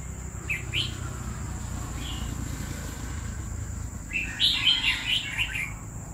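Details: Caged red-whiskered bulbul, kept two years, sings a late burst of liquid whistled notes rising and falling after a single faint short phrase earlier, over a low steady rumble.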